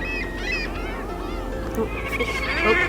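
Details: Courting pair of red-necked grebes in spring 2023 at Colonel Samuel Smith Park, Toronto, under closing storm clouds: loud, wavering, nasal wails and braying notes in quick succession over a steady low rumble of wind or distant traffic.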